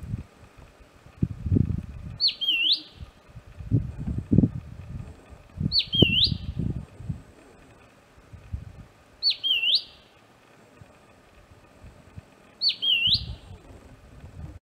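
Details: Southern scrub-robin calling repeatedly at close quarters: four short whistled calls, each a quick dip and rise, spaced about three to four seconds apart, with low rustling and handling noise between them.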